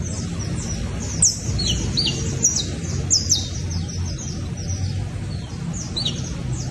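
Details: Juvenile saffron finch calling in a dense, overlapping stream of thin, high, downslurred notes with a few louder accents, over constant low background rumble.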